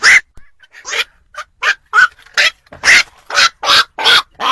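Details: Black-crowned night heron calls played as a lure for trapping birds at night: harsh, hoarse barking croaks repeated quickly, about ten in under five seconds, sometimes overlapping.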